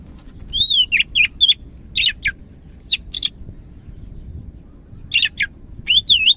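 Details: Vigorous greater green leafbird song from Medan, with wavering whistles and short buzzy chattering notes in bursts, a pause of about two seconds, then more undulating whistled phrases.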